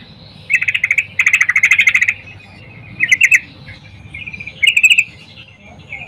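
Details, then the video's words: Sooty-headed bulbul, a female, calling for a male in the morning, giving four separate quick buzzy trills at intervals of about one to two seconds, each a burst of rapid clipped notes. "Trucuk Betina Memanggil Jantan PAGI HARI"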